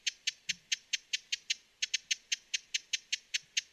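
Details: Broad-billed hummingbird giving dry, clicking chip notes, about four per second, with a short pause midway before the series resumes at the same steady pace.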